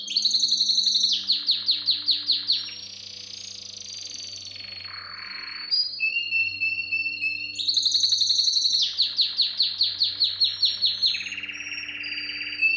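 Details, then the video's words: Powerful canary song for training young canaries: loud rapid rattling trills, a wavering whistled passage sliding down into a low churr, then high pure notes before the rattling trills return; faint hum in the background. "Most powerful song for training Canary"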